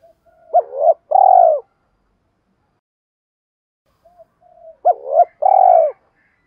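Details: Decoy spotted dove calling in thúc rút style to lure wild doves in to fight. Two phrases four seconds apart, each a short note, then an arched coo, then a long rolling pulsed coo that falls at the end. Quiet background.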